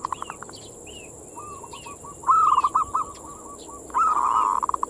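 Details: Zebra dove in manggung song, a lure to excite local perkutut: soft repeated coos building into a louder stuttered phrase and a long rolling note, with small chirps from other birds and a steady high hiss.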